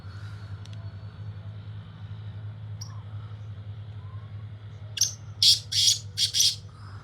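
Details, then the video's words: Black francolin, the Sindhi kala tetar, calling in fields: after five seconds of quiet with a steady low hum, a burst of four harsh, grating, buzzy notes in quick succession. "Francolin speaking in fields Sindhi Kala Tetar Awaz"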